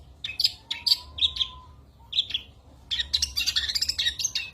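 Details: Cendet, the long-tailed shrike, in vigorous fill-in song meant for tutoring competition birds. A few spaced sharp chirps lead into a dense, tumbling warble, over a faint steady low whistle.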